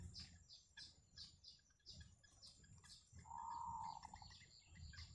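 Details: At a yellow bittern family's nest, thin, high chirps repeat about three to four times a second, with one steady, mid-pitched drawn-out note midway, over low rumbling noise.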